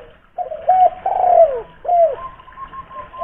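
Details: Spotted dove, a local tekukur from Kuningan, West Java, used as a lure to prompt caged doves to call. Soft low coos and a long falling note, then a faint steady tone.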